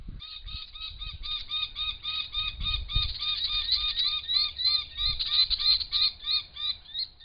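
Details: Brown falcon (Falco berigora) giving a long run of loud, harsh, nasal, cackling notes, about three each second, over low wind rumble, at a pond in Australia in late August to October, perhaps in early evening.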